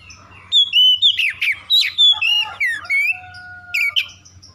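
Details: Lure recording of oriental magpie-robin song meant to incite rival birds into aggressive singing: a fast run of loud, varied whistles, slurred notes and sharp chips, with a few long steady tones near the end and a faint low hum.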